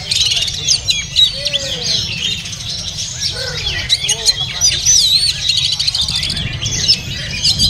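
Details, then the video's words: Oriental magpie-robin, a caged bird at a market, delivering a continuous medley of sharp whistles, twisting slurred notes and chatter. A few lower whistled notes drop in, over steady background rumble and faint voices. "Oriental Magpie Robin Singing"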